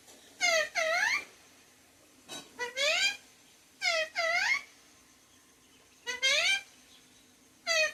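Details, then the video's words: A talking parrot imitating human words, saying things like "mummy papa". Harsh, harmonic two-syllable utterances come in short bursts about every two seconds, with quiet pauses between them. "Talking parrot"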